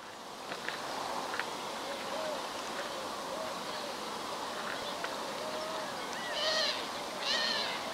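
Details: Iberian magpie (Cyanopica cyanus) in winter, 31 December 2011, Ria Formosa Natural Park, southern Portugal, giving two harsh, buzzy, nasal calls near the end, with fainter chatter earlier, over a steady background hiss.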